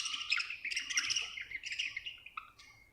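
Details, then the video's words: Softer, more distant budgie chirping: a flowing run of twittering warbled notes and chirps that fades toward the end, over a faint background hiss. "Happy budgie chirping sound"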